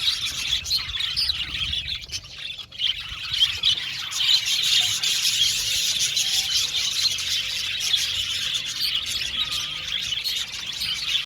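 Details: Budgies in an aviary colony chattering for a long stretch: overlapping chirps, squeals and squawks in a continuous high babble, with an occasional louder sharp call.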